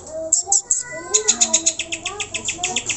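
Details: Greater green leafbird lure song to stir pet birds into singing: a few scattered high notes and low whistles, then a quick series of sharp high chirps about five per second.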